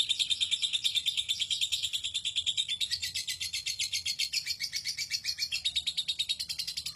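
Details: Lovebird giving its long ngekek trill, valued in song contests: a continuous rapid high chatter of even pulses, about ten per second, held unbroken throughout with steady loudness.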